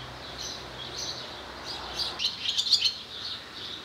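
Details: A singing male Barn Swallow (Hirundo rustica), with a nest and a mate nearby, at Skala Kallonis, Lesvos, Greece, on 10 May 2014: a fast, high twittering warble of rapid chirps building to a brief bright burst, over a soft hiss.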